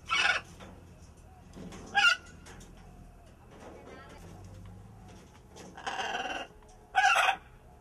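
Blue-and-yellow macaw giving four loud, harsh, grating squawks spaced irregularly over eight seconds, one longer and raspier, with a low murmur of background noise between.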